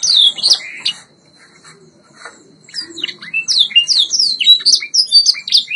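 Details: White Yorkshire canary from a training recording: a short burst of high chirps, a pause of near silence, then a rapid series of descending whistled slurs.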